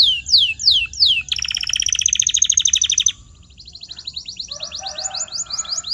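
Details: Canary sings for silent-bird training: a few loud sweeping whistles, a dense buzzy rolling tour of about two seconds, a short lull, then a softer fast trill.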